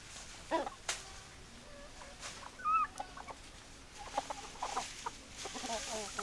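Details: Hens cluck in scattered short bursts separated by quiet gaps, with a few brief higher notes and sharp clicks in the background of a chicken flock.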